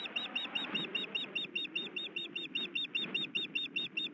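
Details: Osprey pair at a Missoula, Montana nest, male delivering fish while the female broods; steady series of short, high, slurred chirps about two or three per second, with a low rumble underneath.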